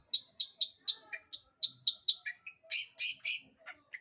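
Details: Long-tailed shrike in lively song meant to provoke other birds: quick varied phrases of clear whistled notes, sliding slurs and short chirps, ending in three loud harsh buzzy notes and a final chirp.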